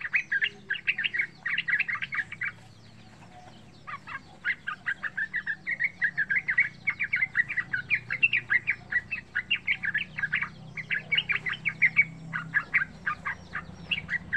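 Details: Yellow-vented bulbul (trucukan) lure song for young birds learning to sing: long runs of rapid, bubbly chirped notes with a brief lull, over a steady low rumble.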